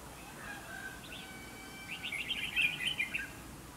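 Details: Red-whiskered bulbul singing in a fight trap to provoke a fight: one quick, tumbling phrase of chirpy whistled notes lasting over a second.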